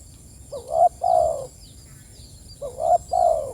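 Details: Spotted dove calling to its companions: two low double coos, each a rising short note then a long falling coo, with faint high twittering of other birds behind.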